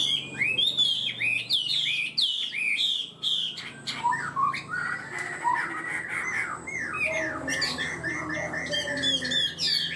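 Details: Chinese hwamei singing in a cage, kept for its high-pitched song and quick, steady start; rapid looping whistled phrases, bright and rising then falling, later slowing into lower repeated notes.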